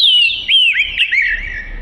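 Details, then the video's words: Black-and-white long-tailed Oriental magpie-robin singing melodiously for song training: a short burst of high, bright whistles with rapid slurred twists, dense and unbroken. "Burung Kacer Merdu Untuk Isian"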